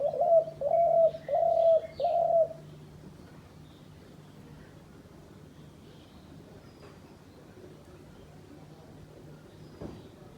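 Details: Decoy dove of a bird hunter uttering four rapid, soft coos in the first few seconds, followed by a long quiet stretch with only faint background hum and an occasional distant chirp.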